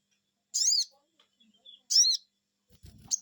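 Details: Two piercing downward-arching 'cuiit' calls from a crimson sunbird responding to a lure, followed by a faint thud and a brief high note.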